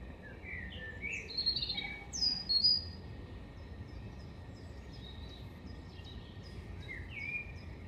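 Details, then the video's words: European robin (Erithacus rubecula) singing at Hengelo on 5 May 2018: a lively phrase of thin, high whistles and quick downslurred notes, followed by softer scattered high twitters over a steady low background rumble. "Roodborst zingt"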